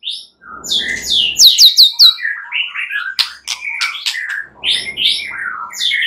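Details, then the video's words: Shama lure song for night use to stimulate singing: a dense, high jumble of sharp whistled notes, quick trills and buzzy slurred phrases, continuous and varied throughout. "Pancingan murai batu MALAM HARI agar GACOR dan NGEPLONG"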